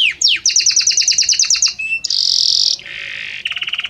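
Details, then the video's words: Varied song of a Belgian canary, notes changing gradually: a rapid run of repeated bright chip notes, a brief clear whistle, a loud sustained buzzing phrase, a lower rough buzz, then a quick rattling trill. "Magnífico Como canta este Canário Belga!"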